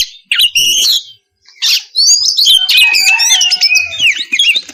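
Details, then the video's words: Oriental magpie-robin singing ngeplong-style, meant to provoke other magpie-robins to respond; harsh chirps open, then a long continuous warble of sliding whistles and twittering notes over a faint lower tonal line. "Pancingan suara kacer ngeplong memanggil kacer bahan lekas nyaut langsung bunyi"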